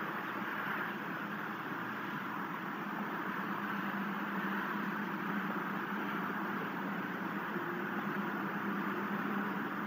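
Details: Low steady mechanical droning, like an idling vehicle or appliance, continues throughout without any animal calls.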